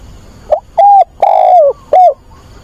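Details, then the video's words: Cooing of a decoy spotted dove calling to find a mate on a weekend, 24 August: a short note, a level coo, a long sustained coo dropping at the end, and a final brief coo over a quiet background. "Cu mồi gáy gọi tìm bạn"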